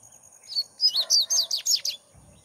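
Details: Double-collared seedeater singing while perched on a hand: a short, bright phrase of about seven rapid, high slurred notes, each dropping sharply in pitch, lasting around one second.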